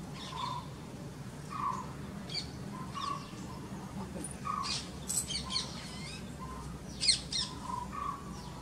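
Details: Purple-rumped sunbird at a birdbath giving sharp, high chips at irregular intervals, over a steady run of lower, soft notes repeated about every second and a constant background hum.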